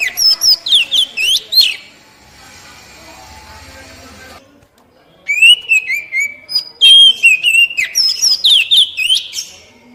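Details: Oriental magpie-robin song used to rouse captive birds to sing: a quick run of looping whistled notes, a quiet gap with low hum, then a longer lively stream of varied whistles and trills.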